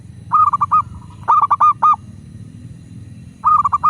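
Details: Zebra dove of a local strain, used to coax doves into singing: three loud phrases of four to five bouncy, evenly pitched coos in under four seconds, with low rumbling noise beneath.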